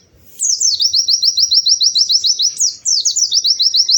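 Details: After a moment of quiet, a white-eye (pleci) launches into rapid rising whistled notes, rolling steadily, with a pair of louder descending swoops midway before the quick repetitive chatter carries on.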